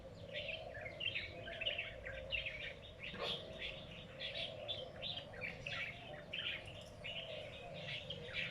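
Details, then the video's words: Unidentified birds in a lychee garden at midday give a busy, overlapping chatter of short high chirps and twitters without pause, over a steady low droning hum. "tiếng chim lạ này trong vườn vải"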